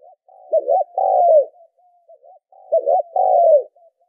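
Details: Spotted dove calling, played as a decoy-training lure: two phrases of a quiet lead-in note, a quick double coo and a long falling coo, with faint soft notes between phrases and no other sounds.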